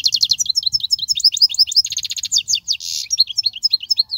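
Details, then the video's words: Continuous European goldfinch song used to tutor young goldfinches: rapid, tinkling chirps and twitters, a brief buzzy trill and a harsh nasal burst mid-phrase, then more liquid twittering. "تغريد الحسون, الذي يبحث عنه الجميع"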